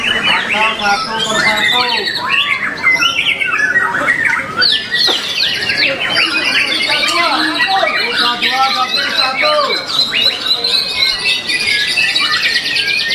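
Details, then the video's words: Captive breeding-stock white-rumped shama singing at a song competition, placing second; fast, varied medley of sweeping whistles, chattering notes and harsh trills packed densely over thirteen seconds with no pauses. "INDUKAN JAGO GANTANGAN ‼️ MURAI ARWANA"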